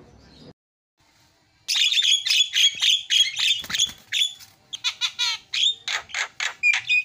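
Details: Javan myna masteran song: after a quiet start, a dense stream of harsh chattering notes gives way to crisp repeated clicks and whistled accents about every quarter second.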